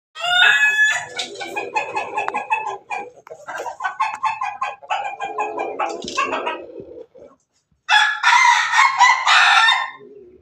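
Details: Owned Pelung Bangkok chicken recorded 17 May 2024 giving a laughing-style crow: long runs of rapid, stuttering harmonic bursts, like cackling laughter, a brief silence near seven seconds, then another loud chopped burst.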